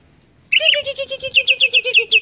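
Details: Greater green leafbird song meant to provoke others: sudden onset of a rapid, rolling warble of repeated buzzy notes, steady and loud for nearly two seconds.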